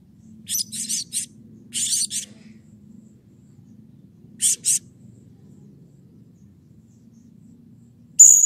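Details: Excited calling of a blue-crowned hanging parrot, played to stimulate other birds into calling: short bursts of shrill, buzzy high notes in threes and pairs, a long quiet gap, then one sharp note at the end.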